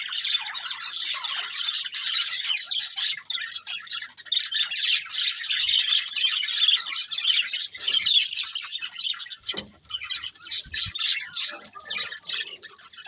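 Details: Colourful budgerigars of a breeding pair chattering steadily, a long run of rapid, scratchy high chirps and twitters with short breaks, and a couple of faint knocks.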